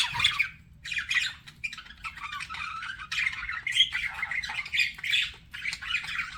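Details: Budgerigars flirting: a continuous stream of warbling chatter and squawky chirps, rising and falling in loudness, with scratchy and whistled notes mixed together and faint low rumble beneath.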